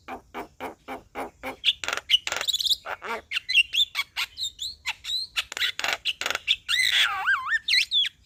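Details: Male Javan myna song that stirs up another bird: a fast run of ticking notes builds into buzzy chatter, twisting whistles and deep wavering slurred calls at the end.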